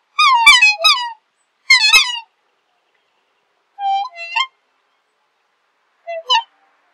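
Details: Black swan calls in a clean, quiet setting: a quick burst of three bright, trumpet-like falling notes, then a softer, wavering two-part call and a brief final squeak.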